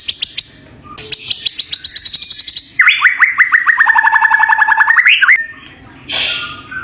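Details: Champion white-rumped shama in full song: a fast high trill of repeated notes, then a long lower rattling trill that climbs at the end, followed by a short buzzy burst.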